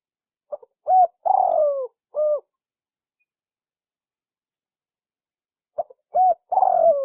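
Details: Spotted dove lure call for trappers: a phrase of short clicks, a coo, a long downslurred rolling purr and a closing coo, repeated after about three seconds of silence, low-pitched and clear.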